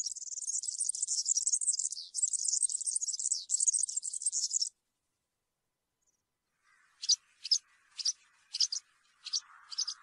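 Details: Campero-style song of a European serin: a long, shrill, rapid jangle of high buzzy notes for nearly five seconds, then silence, then six sharp separate chips with a faint lower twitter beneath.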